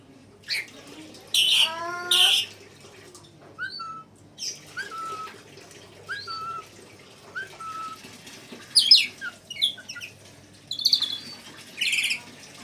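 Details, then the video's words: Red lory (nuri merah) performing kacer, cucak ijo and murai songs: a pair of harsh, buzzy bursts, then a run of short, clear, repeated whistled notes roughly once a second, ending in scratchy chirps and squawks. "NURI MERAH - Red Lory kicau KACER CUCAK IJO MURAI"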